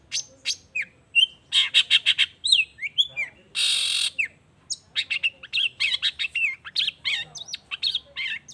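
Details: Dense, varied long-tailed shrike song, used as a lure to set other shrikes singing: rapid harsh squawks, twanging upward slurs and chattering phrases, broken by a brief burst of hiss.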